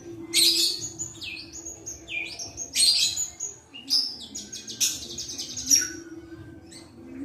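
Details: White-rumped shama, kept in captivity since it was a chick and now a young pastol bird, delivers melodious phrases of sharp high notes, fluty whistles and quick trills in lively succession against a faint low background hum.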